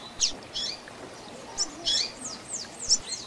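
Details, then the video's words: Double-collared seedeater singing the tui tui zel zel style of song, used for teaching young birds: a short run of high, quick down-slurred whistled notes with brief pauses between them. "Tui Tui Zel Zel Diferenciado Encarte seu Coleiro ou Papa capim"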